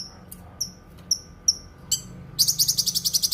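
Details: Song of a Cucak kinoi, used for tutoring other cage birds and for therapy: thin, falling high whistles spaced about half a second apart, then a rapid even run of bright chirping notes at the end.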